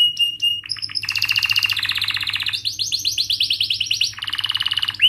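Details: Singing canary, a training song for young canaries: a few clipped whistles, then a long buzzy rolling trill shifting into rapid rising-and-falling chirps, finishing with another dense trill, over a quiet hum.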